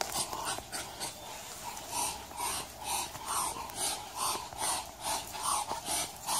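Muscovy duck giving soft, breathy wheezing hisses, about two or three a second in a steady run, over a faint background hum.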